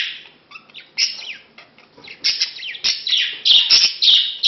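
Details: Male budgerigar courting a female he met two months earlier, before mating; bursts of scratchy, buzzy chirps and warbles grow louder and denser toward the end, with short quiet gaps between phrases.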